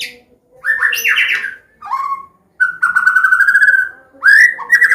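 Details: White-rumped shama of the Medan type, a combination song in the open ngeplong style used to teach young birds and prompt them to sing: loud clear whistles and rich warbled phrases, a long steady whistled note, then rising slurred whistles.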